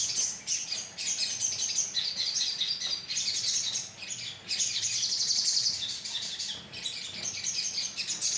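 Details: Crimson sunbird colony recording used as a lure: dense, very high twittering and thin chirps, bursts lasting a second or two separated by brief dips, several birds calling over one another.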